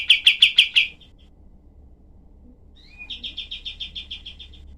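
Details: Cream-vented bulbul, locally kapas tembak, in a harsh 'tembakan' shooting song used to tutor other songbirds: a loud burst of five rapid sharp notes, a pause, then a softer, faster run of about ten clipped notes.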